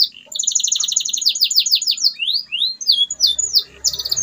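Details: Canary song to rouse silent canaries into singing: a long fast two-toned trill, rising sweeps and downslurred phrases, with a faint low hum near the end.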